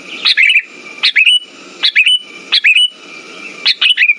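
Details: Lure recording of a sooty-headed bulbul for stimulating silent birds: five lively, warbled phrases of two or three slurred notes, repeating at a brisk, slightly uneven pace with a steady high tone behind.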